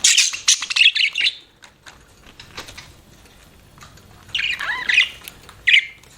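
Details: Chirping pet budgie: a chattering burst of squeaky notes at the start, a quieter middle with faint clicks, then another scratchy phrase and a final short chirp.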